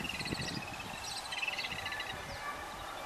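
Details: Yellow-billed babblers feeding their chicks; rapid, buzzy, repeated chattering notes in stacked bands, several birds calling over one another, with low rumbling background noise throughout.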